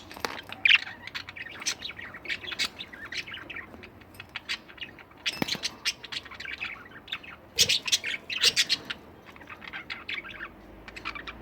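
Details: Several pet budgerigars chattering almost without pause: dense, rapid high chirps and twittering notes in bursts, with occasional louder squawks and some tapping.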